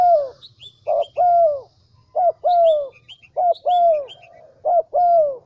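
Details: Decoy spotted dove of Vietnam's Central Highlands cooing steadily: five evenly spaced two-note phrases, a clipped coo then a drawn-out falling coo, repeated about every second, over light high chirping from small birds.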